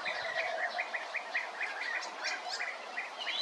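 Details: A European bee-eater repeats clear, throaty rolling calls about four times a second, a few faint low knocks at the start.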